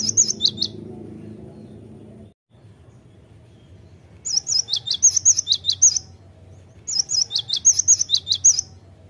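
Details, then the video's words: Great tit song to draw the bird into singing: three separate bursts of high, shrill, repeated two-tone notes, each lasting about one to two seconds and separated by quiet pauses. "Pandai memikat gelatik batu jadi cepat gacor"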